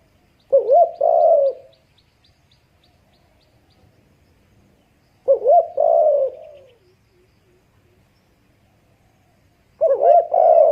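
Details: Mother dove with her baby at a nest, three separate coo phrases about five seconds apart, each a quick rising note followed by a longer falling, breathy coo, with faint soft chirps between and little other noise.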